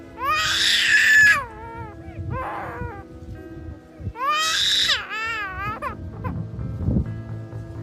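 A Black-collared Starling gives two loud, harsh, wailing squawks about four seconds apart, with softer chattering notes between, over steady background music.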